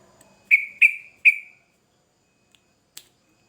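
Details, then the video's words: Sooty-headed bulbul, vigorous lure recording: three loud, clear whistled notes in quick succession, each with a trailing fading tail, then silence broken by a single faint click. "Trucukan Gacor Ngamuk Pancingan Cepat di Respon Burung Trucuk Bahan"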